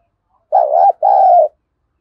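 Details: Spotted dove contest cooing ('thúc đấu'), deep 'giọng thổ' voice: a pair of strong, low, throaty coos, each about half a second long, separated by a brief pause, in otherwise quiet surroundings.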